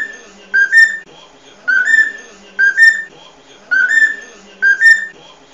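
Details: A Cockatiel (Nymphicus hollandicus) gives clear two-part whistled phrases, a short note then a longer rising one, repeated about once a second at a steady mid pitch in a quiet room.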